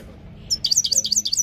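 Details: Brief burst of Himalayan goldfinch song, a quick string of high, sharp twittering notes that starts after a short quiet pause.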